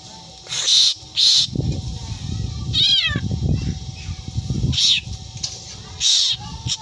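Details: Black drongo mimicking a cat: a few harsh screeching bursts and one falling meow-like note with layered overtones, over a low murmuring background.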